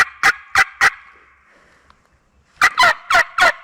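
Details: In a Mississippi national forest during a turkey hunt, a wild gobbler answers while a hen calls in the background; three quick sharp notes, a second of near silence, then four more stronger notes.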